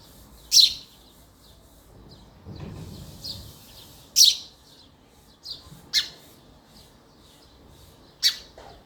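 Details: Male house sparrow giving sharp, high chirps spaced irregularly, about six over nine seconds, with a faint low rumble between them.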